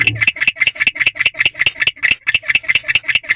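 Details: Chirping male barn owl in a nest box, night of 5/3/23 at 1:21 am, a call earlier tied to courtship; rapid rasping chirps repeat around 150 times a minute, with a brief low rumble at the start.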